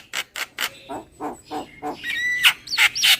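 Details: Javan myna lure call with three loud, harsh squawks, then lower rasping notes. It ends in a sharp, thin whistle and bright, squealing chirps.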